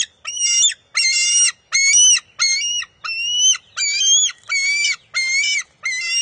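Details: Young bald eagle at the nest, 23 June 2021, contesting a fish with its mother: about nine shrill, whining harmonic notes, evenly spaced and repeated roughly every two-thirds of a second, with no other sounds.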